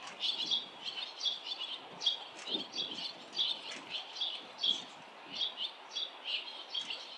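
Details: Lively barn swallow fledging, adults and earlier fledglings swooping past the nest; sharp, high chirps repeat in quick clusters roughly every half second, sometimes doubled.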